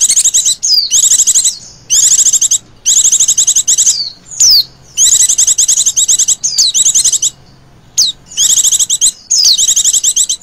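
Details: Oriental white-eye female in 'ngecir' style, a call used as a lure for other birds: bursts of fast, thin trilled chirps repeated roughly every second, with occasional clear down-slurred whistles between phrases.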